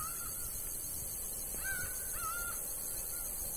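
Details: Laughing falcon in the Bahia sertão, a faint note, then a clearer pair of level, nasal calls near the middle, over constant high-pitched background hiss.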